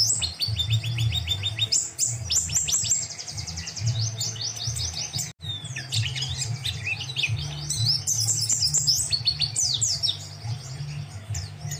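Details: White-eye song, used as a master recording for teaching song to other birds: dense, fast high chirps and twittering trills, with sweeping whistled notes and rapid repeated phrases. A steady low hum runs underneath throughout, with a brief gap midway.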